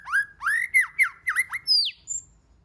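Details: White-rumped shama singing a rapid phrase of many voices, meant to rouse other shamas. Six or seven loud arched, buzzy-edged notes run together, ending in a falling high whistle and a faint thin note.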